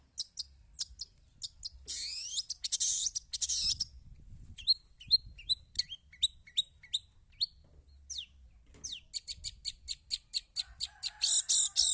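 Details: Pentet or cendet (Long-tailed shrike) in lively song: a harsh scratchy burst, then a run of sharp high chirps and clicks in quick, irregular succession, ending with more grating rasps; quiet low hum behind.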